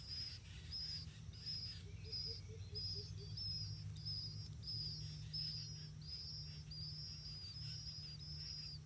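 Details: Blue-winged pitta young outside the nest while both parents bring food. Short high whistled notes repeat steadily, about one and a half each second, with a brief run of soft lower peeps. Steady high insect hum and low rumble continue throughout.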